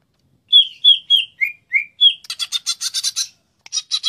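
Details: Greater green leafbird: six clear whistled slurs, some falling, spaced about a third of a second apart. They are followed by a rapid harsh buzzy rattle, a pause, and a final short rattle.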